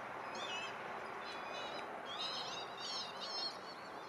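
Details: Northern lapwings flying over trees and landing beside a lake at Langford Lakes Nature Reserve, Wiltshire, UK, in August 2018, give wheezy, slurred, wavering calls in quick bursts of four or five over a steady rushing, wind-like background.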